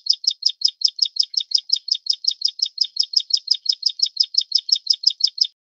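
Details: Taiwan-endemic Plain prinia, subspecies flavirostris, repeating a dry, buzzy high note in a fast regular rhythm, around thirty notes over five seconds before falling quiet; the background is otherwise silent.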